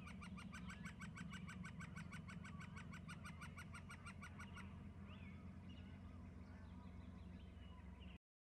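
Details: Two eagles perched on the mid-right branches of a tree call: a fast, high chittering series of piping notes for about four seconds, then scattered softer chirps, over a steady low rumble of wind.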